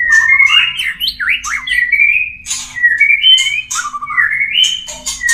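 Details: White-rumped shama in breeding song, used to bring birds into breeding condition: rich rising and falling whistled phrases mixed with harsh squawky notes and clicks, dense and unbroken, with a faint background hum.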